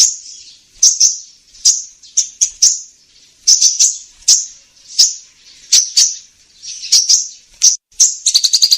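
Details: Sunbird, called kolibri ninja, in a lure recording used by bird trappers: sharp, very high chipping notes in irregular bursts, some doubled or tripled, ending in a fast run of ticking notes.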